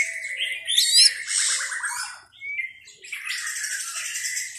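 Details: White-rumped shama song: bright whistled notes and buzzy high trills in two bursts separated by a brief quiet gap.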